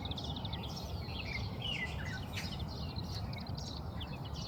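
Oriental greenfinch giving quick, bright twittering chirps and short trills, over a steady low rumble of background noise.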